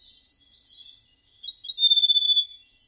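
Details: Golden prinia with a melodious, flute-like song: soft high warbling at first, then a clear rapid trill of evenly pulsed high notes for about half a second, fading back into quiet chatter.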